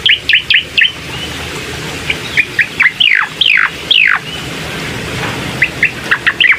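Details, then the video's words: Bar-winged prinia song meant to provoke a quiet bird into singing: clipped high chirps, then several loud falling sweeps, a brief lull and more rapid chirps. "pancingan cucak koreng malas bunyi, gak pakek lama pasti langsung gacor"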